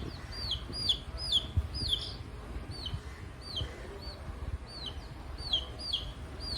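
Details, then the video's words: Ring-necked parakeet whistling while greeting hen chicks: repeated sharp, upslurred-then-falling whistled notes, roughly two per second, over a constant low rumbling background. "ringneck parrot🦜 greet cute hen chicks🐓||fighting||whistling ||natural parrot and chicks voice"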